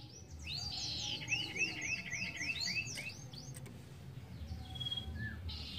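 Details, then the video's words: Ashy tailorbird (sirtu) singing faintly: a rapid string of high falling notes over looped whistles in the first half, then quieter scattered calls amid background noise. "Sirtu gacor ampuh pancing bunyi sirtu bahan"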